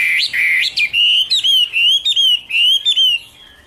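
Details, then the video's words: Chinese hwamei (Garrulax canorus) singing: loud, clear whistled phrases sliding up and down, rich in harmonics, delivered in quick bursts of about three notes per second, ending abruptly. "Birds Garrulax canorus: Singer yellow mouth - wonderful birdsong"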